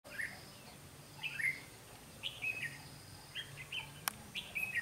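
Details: Red-whiskered bulbul decoy used to trap wild bulbuls, recorded 12 August 2016: short, bright, warbled phrases rising and falling, spaced about a second apart over a soft background hiss.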